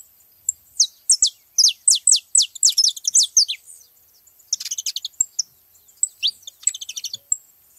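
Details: Saffron finch giving a series of sharp, falling high chirps that speed into a buzzy twittering trill, followed after a short gap by rapid ticking notes and a few more chirps.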